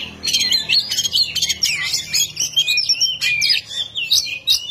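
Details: Oriental magpie-robin in full 'ngeplong' song used to provoke a rival, a dense, continuous run of bright whistled and scratchy notes sliding up and down, punctuated by sharp clicks.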